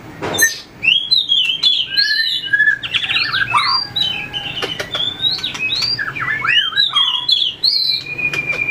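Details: White-rumped shama in song training for contests, tail flicking and moving along perches; lively sequence of ringing whistles, quick rising and falling slurs and chatter, punctuated by sharp ticks, nearly nonstop.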